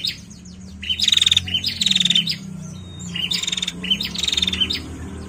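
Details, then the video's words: Female bar-winged prinia calling actively in the narung style: a short high note, then buzzy rapid-fire trilled bursts, repeated in pairs about every second with brief pauses between groups, over a faint low hum. "PRENJAK BETINA GACOR NARUNG"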